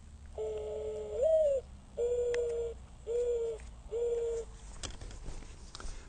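A Mourning Dove's low, hollow cooing: a long opening coo that slurs upward, then three steady coos about a second apart. Faint room hum underneath.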